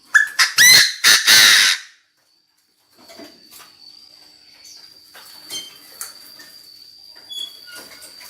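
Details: Decoy Chinese francolin calling to gather the flock: a loud burst of four or five harsh, ringing notes packed into under two seconds, followed by quiet with a steady high insect whine and faint chirps.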